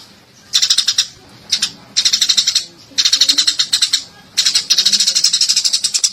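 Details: Masteran recording of a Eurasian tree sparrow: four bursts of quick, bright, high chirping, each lasting about half a second to a second and a half, separated by short pauses, over a soft background hiss.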